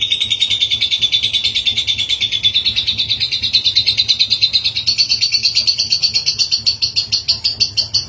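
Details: Lovebird delivering a long ngekek trill meant to make another bird answer: a sustained run of rapid, evenly spaced chattering pulses, about three per second, gradually rising in pitch across eight seconds, with faint low hum.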